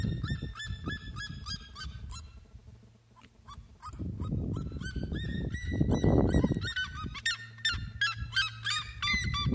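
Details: Red-legged seriema song near an aquaponics area: bursts of rapid, ringing yelps that fade midway, then return dense and overlapping, with strong low rumbling noise swelling in the middle.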